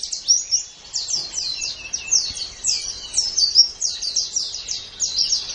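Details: White-eye song used as a training master for hobby songbirds: a continuous stream of fast, high, descending whistled slurs, evenly spaced and tumbling one after another, with soft background hiss.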